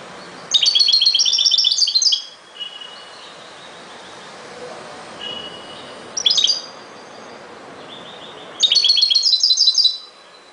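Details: European goldfinch song: three bursts of bright, rapid, high twittering with tinkling trills, separated by quieter thin notes and short pauses.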